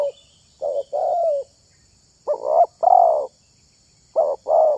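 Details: Spotted dove, a bird valued for luring other doves, uttering three well-spaced pairs of coos, each a brief note then a longer hollow one, with irregular gaps between the pairs.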